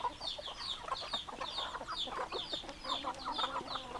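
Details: Chickens, hens and roosters, in a busy flock: a dense stream of short high peeping chirps that slide downward, overlaid with quick lower clucking bursts, many birds calling at once without pause.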